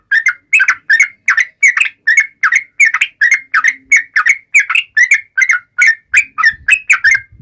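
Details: Yellow-vented bulbul singing a fast, persistent song meant to taunt rivals: a rapid series of short, bubbly whistled notes, roughly two or three per second, without pause for the whole stretch.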